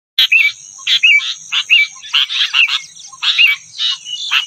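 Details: Rufous-tailed robin singing, wild birds outside competing with caged birds: high chattering phrases of buzzy notes and short whistled upslurs, bursts every half second or so, over a steady high electrical-like hum.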